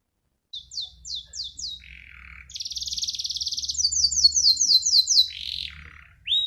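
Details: Canary singing a rolling ('ngeroll') song: a series of quick descending chirps, a lower buzzy roll, then a long dense high trill of rapid downslurred notes, with faint low hum beneath.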